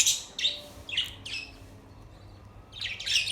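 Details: Budgies give a few separate sharp, high chirps, four quick notes about half a second apart, then a quiet gap before two more bright chirps close together at the end.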